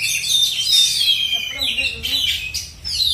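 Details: Black-and-white Oriental magpie-robin in a South Aceh, Indonesia singing contest, delivering loud, sweeping whistled notes and scratchy chatter, with brief low human voices mixed in the middle.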